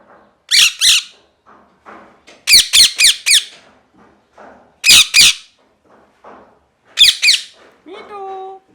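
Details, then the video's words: Harsh parrot screeches come in clusters of two to four, separated by quieter rustling, and end with a short, thin tonal whistle. "Parrot Chirping Sounds | Natural Parrot Sounds | Parrot Calling Sounds"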